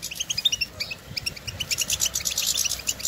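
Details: European goldfinches outdoors in nature, calling to one another with stimulating twitters: rapid high chirps in quick runs, some notes doubled, steady through the stretch under a faint low hum.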